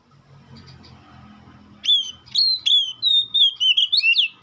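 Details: After a low murmur of background noise, a White-rumped shama breaks into a run of clear whistled notes, long sliding tones followed by quicker rising and falling phrases.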